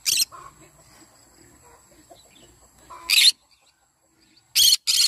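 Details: Yellow-sided conure singing in the morning: a harsh screech, a long pause with faint chatter, then three more loud, rasping screeches in quick succession near the end.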